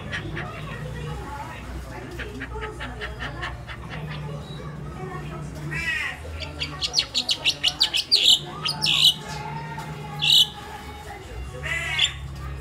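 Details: Crested myna, a pet mimic bird kept at home in the Philippines, chirping: a rapid burst of clicky, sharp notes building into louder scratchy chirps and squawks, then spaced bright chirps; low hum and indoor background noise throughout.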